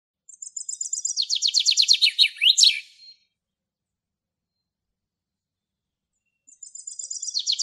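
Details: Common chaffinch singing in Greek nature: a bright, rattling phrase of about three seconds that tumbles down in pitch and ends in a sharp flourish, then a second phrase begins after a short pause.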